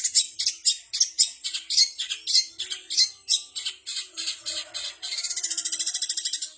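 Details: Long-tailed shrike mimicking kapas tembak, canary, fighting sparrow and bar-winged prinia, giving loud, sharp chattering chips in quick succession, ending in a fast, even, buzzy trill.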